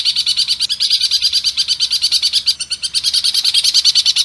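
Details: Long-tailed shrike delivering rough 'tembakan kasar' phrases for bird training, with claimed sparrow and kingfisher mimicry: a continuous fast rattle of raspy, high notes, loud and unbroken throughout.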